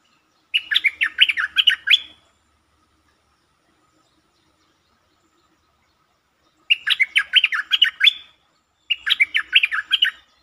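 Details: Streak-eared Bulbul on 13 February 2023 giving three bursts of quick, bubbly chirping notes, each about one to two seconds long, separated by silent pauses.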